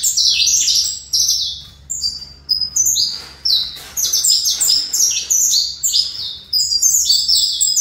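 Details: Saffron finch of the fibra line, a captive bred male, singing a long run of bright, high notes in bursts, each phrase made of quick falling and level whistled figures with short pauses between them.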